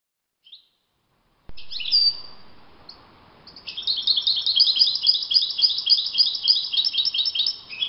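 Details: Wild European goldfinch in open nature gives a long high song: a drawn-out thin note, then a fast continuous jingle of tinkling, twittering notes lasting several seconds, fairly loud and clear.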